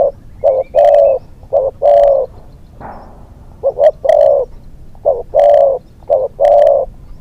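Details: Hunting decoy spotted dove, a young bird taken out to train for the second time, calls rhythmic three-part coo phrases, short notes leading to a long mellow coo, repeated steadily with a brief rustle midway.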